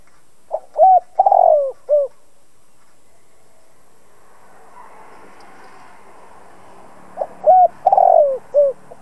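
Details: Spotted dove used as a decoy to provoke other doves, cooing in two separated phrases, each of a few short clipped notes, a fuller drawn-out falling coo and a brief closing note, with a long quiet stretch between them.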